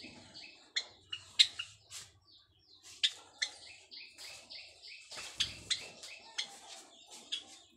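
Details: White Java sparrows kept for breeding and building a nest, calling to mate: sharp high chirps and clicks in quick bursts, joined by a fuller run of ringing notes near the end, with faint rustling.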